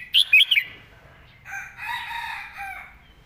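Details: Red-whiskered bulbul giving a 'master song' with beautifully flowing phrasing: one quick burst of four or five bright, whistled, slurred notes, followed by softer, lower murmuring sounds and faint background noise.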